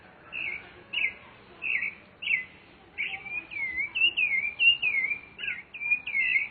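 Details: Rufous-bellied thrush in nature. Evenly spaced single fluty whistles about every half second give way to a continuous rolling string of sliding, warbled notes.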